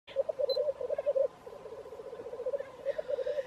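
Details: Black grouse near Wrexham: a loud, steady low bubbling and cooing, rolling pulses that swell and fade in phrases for the whole stretch, with a brief higher note near the start.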